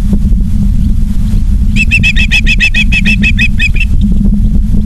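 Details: Osprey at its Charlo, Montana nest on an August 2023 evening gives a two-second run of quick, piercing chirped notes over a constant low rumble of wind and microphone noise.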